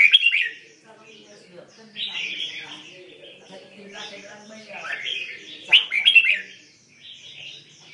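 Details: Red-whiskered bulbul in mixed-repertoire song, delivering bursts of chattering, warbled phrases with short pauses between them, ending in a couple of sharper accented notes.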